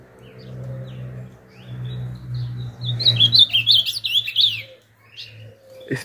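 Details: A 9-month-old male Ultramarine Grosbeak, unpaired, singing strongly in the morning outdoors, gives a brief burst of rich, warbled whistles lasting under two seconds, over a low hum with a man talking before it.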